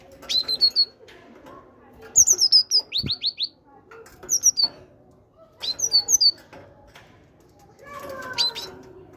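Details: Great tit kept in a cage, giving bursts of high, thin, descending whistled notes in groups of three to five, roughly every one to two seconds, with low clatter and a soft murmur in the background.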